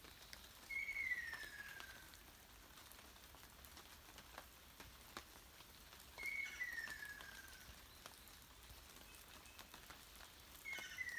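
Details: Ruddy kingfisher (Halcyon coromanda) in a forest in Japan in 2019, unseen despite hours of searching, giving a whistled trill that slides down in pitch over a second, about every five seconds, against steady rain.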